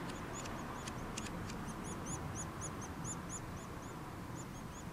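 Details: Feeding-time calls from Nuttall's woodpecker chicks: brisk, repeated high chirps, each curving up then down, several per second, with a few dry clicks at the start and a low background rumble.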